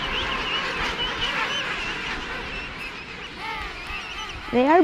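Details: Early morning at the Salisbury Plain king penguin colony on sub-Antarctic South Georgia: dense din of many calling, wavering harmonic trumpeting notes, one loud rising call at the end, and a person speaking.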